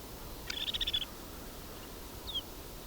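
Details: A winter flock of about 43 snow buntings in Haldimand County, Ontario, calling conversationally at a quiet roadside: a half-second rippling, buzzy trill, then a single short, clear descending whistle over a soft background hiss.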